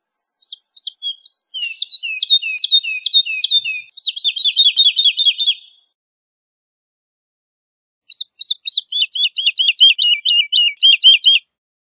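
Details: Woodlark song in two bursts: a series of repeated looping whistled notes accelerating into a dense rapid trill, then after a silence another run of quick repeated downslurred notes.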